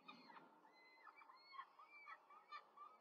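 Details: Rome peregrine falcon nest, 5 May 2023, fast feeding of four chicks by the female: soft overlapping wailing calls with arching pitch, repeated several times in three seconds, fairly low level.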